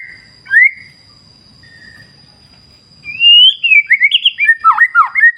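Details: White-rumped shama in a clear-river wild nature soundscape: two isolated whistles over low flowing water, then a loud bubbling run of varied warbled and slurred whistles; a faint steady high tone throughout.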